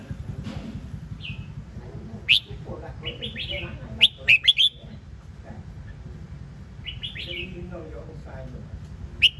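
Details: Red-whiskered bulbul singing scattered, sharp whistled notes and one tight cluster of three quick notes near the middle. Fainter sliding whistles and a constant low background rumble accompany it.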